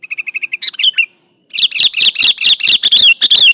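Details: Sooty-headed bulbul, kutilang gacor, singing to draw out a rival: a row of even, rapid ticking notes, a short pause, then a dense, rhythmic stream of loud chirping notes.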